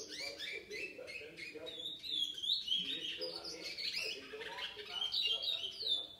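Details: Young chestnut-bellied seed finch, brown variety, aged seven months, pouring out a long musical warble of slurred whistles and rapid twittering phrases, recorded 4 August 2019.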